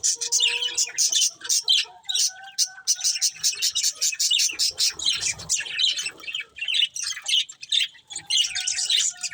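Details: Budgerigars, a caged breeding pair, in fast high chattering warbles with squeaky notes and brief pauses, plus a few low whistled tones early on; the sound comes through in a small indoor room.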